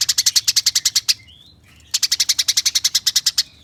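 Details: Rapid chattering of a Eurasian tree sparrow for tutoring competition songbirds; two dense runs of harsh, evenly spaced chirps, roughly twelve per second, separated by a brief thin rising whistle.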